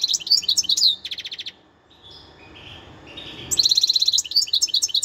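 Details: European goldfinch in the wild, 2021: jingling high twitters open the recording, then a few softer thin notes, then a renewed fast rattle and bright, lilting chirps.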